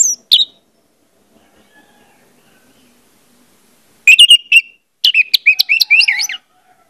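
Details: Orange-headed thrush song used as a lure to get birds singing: a brief high whistled note at the start, then after a pause a burst of rapid slurred whistles and sharp chirps over about two seconds, with nothing else heard.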